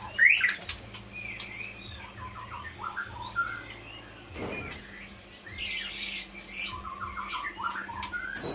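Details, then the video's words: Caged Aceh Leuser white-rumped shama, wild-caught young and known for imitating other sounds, gives softer scattered phrases of short chirps, brief trills and high bright notes, with quiet gaps in between. "Murai batu aceh leuser"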